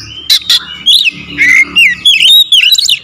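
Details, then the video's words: Magpie-robin in 'tembakan rapat' lure-song style: two sharp clicks, then a string of loud slurred whistles swooping up and down, delivered in quick close phrases with a faint low hum behind. "PANCINGAN KACER SUPER POWER TEMBAKAN RAPAT"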